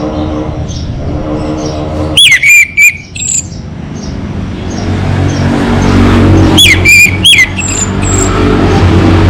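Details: Orange-headed thrush of a local variety in full song, giving two short bursts of sharp downslurred whistles several seconds apart, against a steady background hum of traffic.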